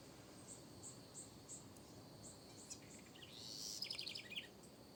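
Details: Backyard house wren delivering a quick rising then falling run of high rapid notes near the end, preceded by evenly spaced faint high chirps and a constant insect hum.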